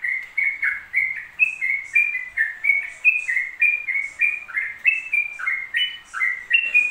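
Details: Yellow-vented bulbul in rapid, pause-free ropel singing: clear chirpy whistled phrases, each note sliding up or down, strung tightly together at roughly three to four per second in a clean recording.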